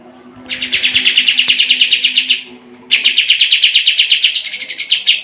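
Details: Sooty-headed bulbul singing vigorously, used as a tutor song for competition birds: two long, fast, even chattering trills of sharp repeated notes, the second rising into a higher, brighter burst near the end.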